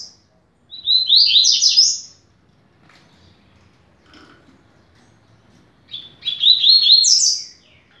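Double-collared Seedeater song: two quick, bright bursts of high chattering, twittering notes, each about one to one and a half seconds long, with a quiet pause between.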